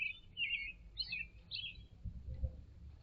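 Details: Red-headed woodpecker calling repeatedly while perched on a balcony railing beside bird feeders; a few harsh, raspy notes in quick succession, then quiet with low background rumble.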